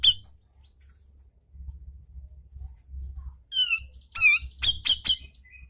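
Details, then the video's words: Grey-cheeked bulbul (cucak jenggot) in a tutoring recording for captive birds, sharp 'ngepik' notes: one high chip, a pause with low rumble, then wavering slurred whistles and a quick cluster of piercing chips. "Masteran Cucak Jenggot Gacorr Mbeset Ngepik Tajam"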